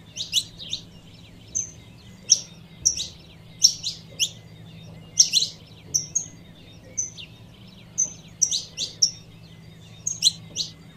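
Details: Female saffron finch calling so as to excite the male: a long irregular series of sharp high chirps mixed with brief flat whistles, some in quick doublets, over a continuous low hum.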